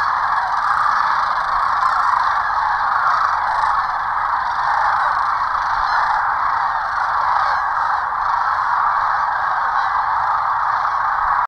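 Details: Sandhill cranes by the hundreds gathered on the Platte River, Nebraska, during migration, flying up and settling again; steady wall of overlapping rattling, bugling calls from the flock, evenly loud throughout.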